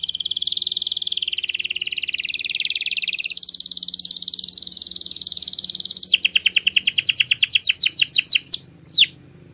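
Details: Canary masteran song, very clear: a long wavering high buzzy roll, then a trill of crisp downslurred notes that quickens, ending with a swooping note.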